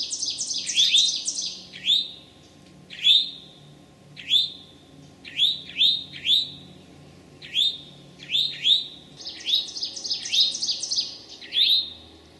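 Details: Eastern towhee recorded late morning on 25 May 2011 in a Massachusetts forest at Sudbury or Marlborough: repeated rising whistled notes, often paired, while another bird adds rapid high chattering bursts at the start and near the end.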